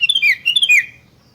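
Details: Lure recording of a sooty-headed bulbul meant to make other bulbuls sing: two loud, bubbly, warbled phrases in quick succession, each dipping in pitch at its end, then quiet.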